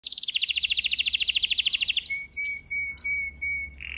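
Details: Canary singing for song training: a rapid trill of about thirty high, even pulses for two seconds, then a steady lower tone broken by short high chips, ending on a fresh low buzzy note; faint low hum beneath.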